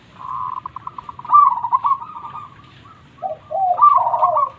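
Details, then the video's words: Zebra dove, local perkutut with a big voice, singing to get quiet birds singing or to lure wild ones. A stuttering trill rises into a loud rolling coo, then short lower notes lead into another rolling phrase. "Perkutut Lokal Gacor Suara Super besar"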